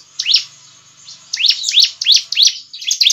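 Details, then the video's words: Ciblek (bar-winged prinia) in lively gacor song, used as a lure to get other ciblek to answer: bursts of sharp, high, rising-then-falling chirps in quick succession, about three a second, with a brief pause after the first. "Suara Ciblek Gacor dijamin ciblek lain langsung nyaut"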